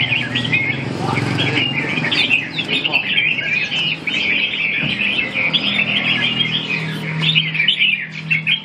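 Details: Red-whiskered bulbul pouring out rapid, chattering chirps and short warbles without pause, over a low rumbling background with faint voices.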